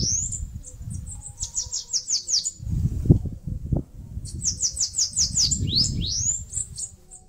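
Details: A Bananaquit near its nest in a mandacaru cactus, northeastern Brazil, delivers two rapid songs of high, thin repeated notes ending in rising slurs, separated by a pause with a couple of knocks and low rumbling noise.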